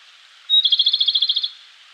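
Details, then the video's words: Japanese robin in full song in a Koshin mountain forest in May, early morning, busily singing; a sharp pure whistled note opens into a fast, even rattling trill of about fourteen pulses lasting roughly a second, then silence. "コマドリ 鳴き声"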